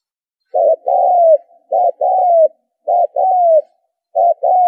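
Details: Spotted dove cooing, used as a lure call to attract birds: three clear phrases, each a short double coo followed by a longer falling coo, repeated roughly every 1.2 seconds against silence.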